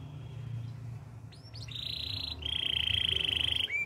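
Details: Canary singing softly over steady low background hum: a short rising note, then two long level trills at mid-high pitch, the second louder and rolling.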